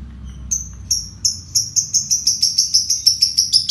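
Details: Caged fighter lovebird singing a ngekek konslet, the long trill used as a lure and master for training other songbirds: high chattering notes begin spaced, then speed into a steady rapid series of sharp repeated chips.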